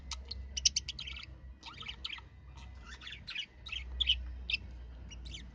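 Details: Budgerigar calling: rapid bursts of high, scratchy chirps and warbles, broken into clusters with brief pauses, steady chattering throughout, with a faint low hum beneath.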